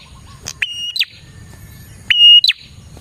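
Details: Two loud song phrases from a prinia, played as bait to draw in other prinias: a crisp tick, a steady piercing whistle, then a sharp twisting end note, separated by a gap of about one and a half seconds.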